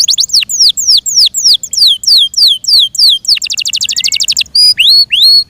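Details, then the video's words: Yorkshire canary kept in care, singing a series of clear, descending whistled notes at about three per second, then switching to a rapid high trill and ending with a few rising slurred notes. "THE BEAUTIFUL SOUND OF FI YORKSHIRE CANARIES"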